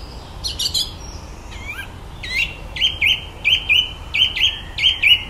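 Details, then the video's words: Common blackbird at the bottom of a garden in the evening, mimicking electronic sounds: a few sharp clicks and a twisting whistle, then a steady series of eight beep-like whistled notes about every half second. "Blackbirds wonderful repertoire of electronic noises."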